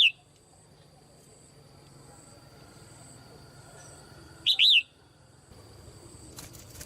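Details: Red-whiskered bulbul, a female in a cage, calling so that other birds sing harder; a single arched two-part whistled phrase after a long quiet stretch, with low hum and a faint click.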